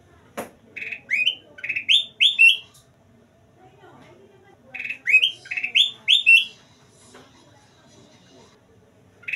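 Ruby-throated bulbul singing bright, rising whistled notes in quick bursts of five or six, with a pause of a few seconds between phrases; a single click early on.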